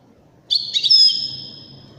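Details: European goldfinch, Widani type, uttering a single bright twittering phrase that rises into a thin sustained whistle-like tone and fades slowly.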